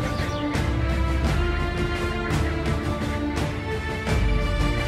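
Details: Background theme music with steady beats and sustained tones, no animal sounds audible.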